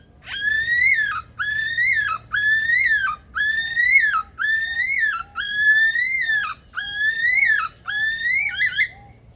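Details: Male superb lyrebird, zoo aviary in Adelaide, South Australia, mimicking: eight rich, harmonic whistled notes, each about a second long, rising then dropping, evenly spaced, with soft low arched notes between them.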